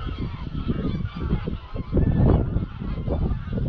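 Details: Evening exodus of greylag geese heading to a roost lake on Anglesey at dusk; a dense flock gives continuous honking and cackling, thick with buffeting microphone wind.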